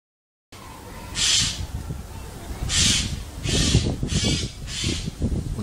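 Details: Eurasian Jay, a Central European forest corvid known for warning calls at disturbances, giving five harsh, rasping screeches, each about half a second long, spaced irregularly over low rumbling noise.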